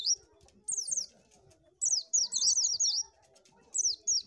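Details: High, thin warbling of an Oriental white-eye, a sound used to lure birds: quick zigzag notes run together into short twittering phrases with gaps between them.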